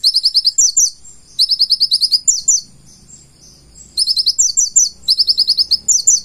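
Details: Energetic full-isian song of a purple-throated sunbird: short, very high, fast trills in clusters, some with stepping, sliding notes, separated by brief silences over a quiet background.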